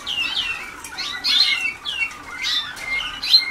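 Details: Early song practice by young Waterslager canaries in 2010: bright chirping notes with falling slurs, grouped in short phrases separated by brief pauses, ending with a sharp high note.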